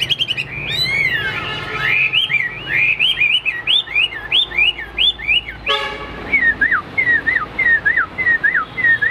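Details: Hwamei held in a cage and singing in a competition fighting display. It pours out varied, looping whistled phrases. These turn into a string of clear, downward-slurred whistles repeated about twice a second.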